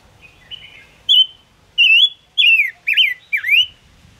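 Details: Lure song of the five-coloured bird (Gouldian finch) used for trapping: a soft lead-in, then five loud whistled notes, flat, then falling, then a sharp V-shaped dip.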